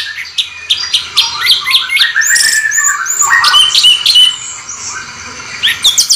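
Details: Orange-headed thrush giving a continuous rolling song, the style called ngeroll bocor: a dense run of high, varied notes with quick chirps, slurred whistles and short trills flowing almost without pause.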